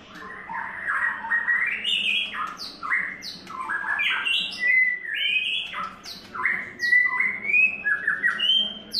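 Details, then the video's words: Extended song of a third-molt white-rumped shama: a lively stream of varied whistles, slurs and stepped phrases, interspersed with sharp high clicks and short notes, over a steady low hum. "White Rumped Shama"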